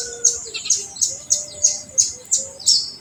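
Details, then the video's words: Olive-backed sunbird singing full tembakan song, played to stimulate untrained sunbirds: sharp high chirps repeated about three times a second, each a brief downward-slurred note, over a quiet background. "FULL TEMBAKAN UNTUK RANGSANGAN KONIN BAHAN"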